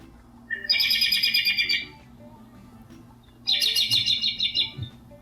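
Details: An American robin, the first bird back in spring and heard in a backyard, gives two quick bursts of high, rapid chirping notes, each about a second long, with a faint indoor hum underneath.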